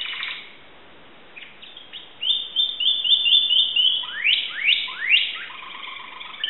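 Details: Greek Timbrado canary, 2009: after a near-silent gap, a run of short chipped notes builds into loud sweeping slurs that fall steeply, ending in a low warble.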